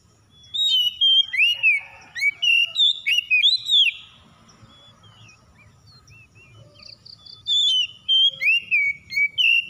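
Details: Home-kept Oriental magpie-robin (kacer) in full lure song: long strings of loud whistled notes, each sliding up or curling down, delivered in quick succession, then a short hush with soft buzzy chips before another vigorous run.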